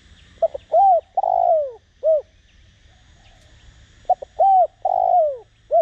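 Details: Spotted dove, a decoy bird in the Đồng Rặc voice style, calling to provoke wild doves into cooing: two phrases about four seconds apart, each of quick clipped notes, then a long mellow coo falling at the end and a short final coo, with faint distant chirping.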